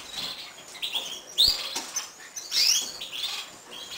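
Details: Gloster canary hen feeding her chicks: thin, high chirps and short rising squeaks, loudest near the middle and end, over soft rustling and fluttering in a quiet cage setting.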